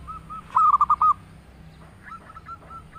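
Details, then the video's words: Local zebra dove singing a melodious song: a loud, quick burst of about five soft, rolling coos at one steady mid pitch, then a fainter, similar series of coos afterward, over a faint low hum. "perkutut lokal gacor suara merdu"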